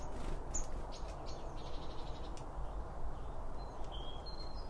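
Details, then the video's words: Birds around a feeder in a binaural recording made near the feed: brief twittering bursts at first, then a few thin high chirps later, all above a continuous low-frequency background noise. "BIRD FEEDING SOUNDS"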